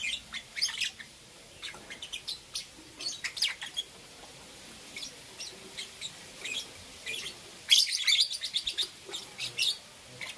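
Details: Two green opaline lovebirds chirping in the morning: sharp, high chirps in irregular bursts, some bunched into quick rapid runs, separated by short quiet gaps, with a louder cluster near the end.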